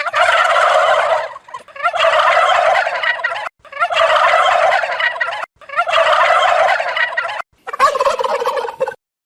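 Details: ['Turkey gobbling loudly: five long, rolling, bubbling gobbles of about a second and a half each, coming roughly every two seconds with short gaps between them.']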